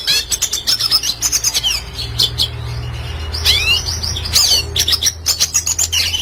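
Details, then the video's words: Red siskin singing gacor in classic style, kept as a master recording for training birds: fast high chirps and twitters in quick series, with a downward-swept trill and buzzy phrases over a low steady hum. "Red Siskin Klasik Gacor Cocok Untuk Masteran Burung Bahan Agar Cepat Bunyi"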